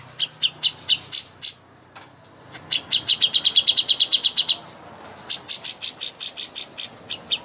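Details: Greater green leafbird song used as a master recording for contest birds: rapid series of sharp high chirps, a fast even run in the middle, then louder bright whistled notes, with a short pause near two seconds.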